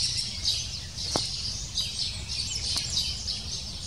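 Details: Lesser spotted woodpecker nestling calling insistently for food at the nest; high squeaky chirps run continuously, broken by two sharp knocks or taps, over a low hum.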